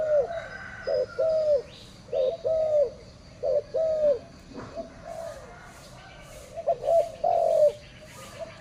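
A spotted dove gives soft, low coos in paired short-then-longer notes, repeated in phrases; faint high chirps from another bird come in briefly.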